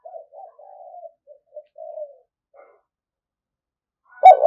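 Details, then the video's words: Decoy spotted dove murmuring a run of soft, low coos with short gaps, then silence, ending with a sudden loud, harsh coo. "Chim Cu Gáy Mồi Cực Sung Dùng Kích Bổi Mới"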